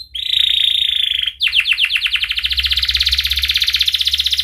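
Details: Singing canary used as a tutor so young canaries learn to sing, also as therapy for canaries that stop singing: a long steady buzzy note, then a rapid trill of rising notes repeated about fifteen times a second.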